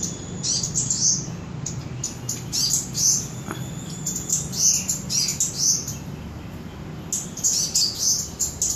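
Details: Cabai gunung, Samarinda, Indonesia: rapid series of high, squeaky chirps and twitters, repeated in clusters about every half second to second, with a constant low rumble underneath.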